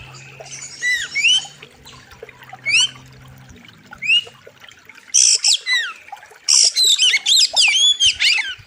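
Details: Oriental magpie-robin master recording for training birds, with a wild river theme: loud sharp song of clear whistled upslurs and downslurs, broken by dense harsh buzzy bursts, phrases coming every second or so over soft low background sound.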